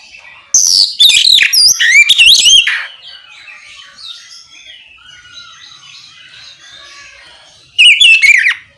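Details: Oriental magpie-robin song meant to provoke other magpie-robins into answering, in the open ngeplong style: loud bursts of sweeping whistles and harsh notes, a quiet stretch with faint distant warbling, then another loud burst.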